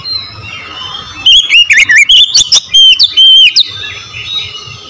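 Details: Oriental magpie-robin singing in full voice: a loud burst of rich, varied whistles and sharp clipped notes, sliding up and down, lasting about two seconds amid quiet background.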